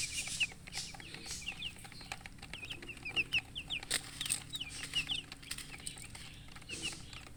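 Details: Colourful murgi chicks, baby chickens thirsty for drinking water, heard at a distance as thin, high cheeps in quick runs, over a steady low hum and occasional knocks.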